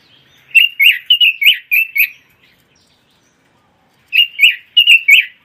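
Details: Pekin robin, an imported songbird from China, Taiwan and the Netherlands, singing two bursts of rich warbled phrases, fast rising-falling whistled notes around six per second, with a short silent gap between bursts; otherwise quiet background.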